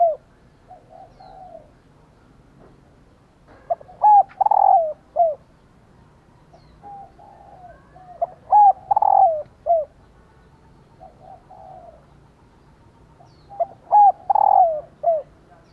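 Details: Female spotted dove cooing to urge males to call along. Three loud phrases about five seconds apart, each a short note, level hoot, long falling coo and brief end note. Softer, fainter coos fill the gaps between them.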